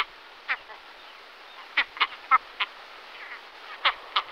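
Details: Great skua giving short, harsh, abrupt notes at irregular intervals, singly and in quick pairs, about ten in four seconds, over a steady background hiss.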